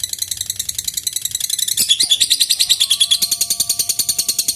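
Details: Lovebird in a long ngekek bout, used to provoke rival birds into singing: a rapid, high chattering trill of evenly pulsed notes, about three per second, running continuously with brief pauses, plus a faint low whistle in the second half.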